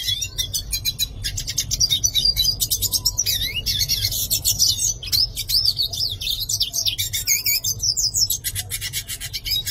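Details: Continuous high, buzzy warbling from a yellow-faced siskin, mixing rapid trills, short chirps and looping slurred whistles for nearly ten seconds, with a faint low hum behind.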